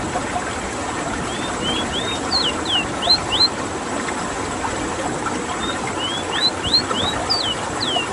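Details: Rolling song of a rowti (ruddy-breasted seedeater) from Suriname: two runs of sweet, thin whistles, each note sharply upslurred or downslurred, over a continuous low mechanical rumble.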